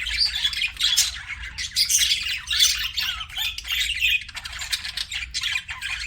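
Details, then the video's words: A group of budgies chirping: chattering, buzzy warbles mixed with high squeaks and short harsh squawks, busiest in the first half and slightly softer toward the end. "BUDGIES CHIRPING SOUND"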